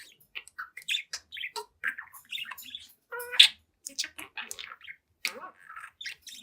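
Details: Seven-month-old budgie singing at its mirror in a small room, a continuous stream of rapid chirps, squawky notes and warbled phrases, one louder harsh note standing out midway.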